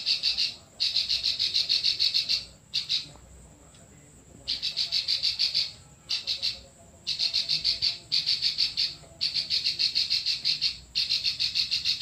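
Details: Klik-klik bird in full song, meant for tutoring other birds: bursts of rapid, high, clicking notes repeated about three times a second. Each burst lasts one to two seconds and is split by short silent gaps.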